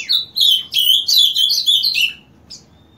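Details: Ultramarine grosbeak that sings punctually every morning from 7 am, giving a fast warbled phrase of quick slurred high notes over about two seconds, then a short pause and one brief extra note.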